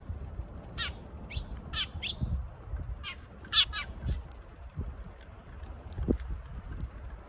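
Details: Sparrow calling: short, harsh, buzzy chirps in irregular bursts of one to three, over a steady low rumble of background noise.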